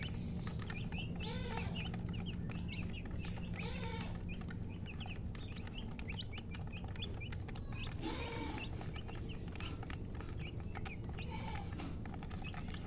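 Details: Hen and chicks: steady high peeping from the chicks, with occasional low, drawn-out hen clucks near the start and around eight seconds, over a loud low hum.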